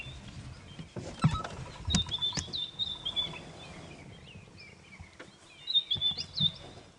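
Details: White-browed scrub robin singing around sunrise on an African safari drive, 9 August 2016: two bursts of high, sweet whistled phrases with quick slurred notes. A bearded woodpecker gives sharp tapping "tuck tuck" sounds, over low rumbling background noise.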